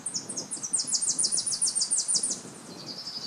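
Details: A bird the recordist thinks is a Tennessee warbler, filmed near electric wires, sings a very high, dry series of rapid chipping notes that run together and trail into a thinner trill, with faint low background noise.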